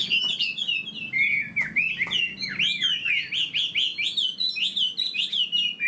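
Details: Caged Chinese hwamei in full song: bright, fluid whistles rising and falling, interlaced with quick repeated notes and twittering trills, loud and unbroken throughout.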